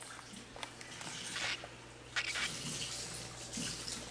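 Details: Running water, drips and small clatters indoors, with a low steady hum and no animal calls.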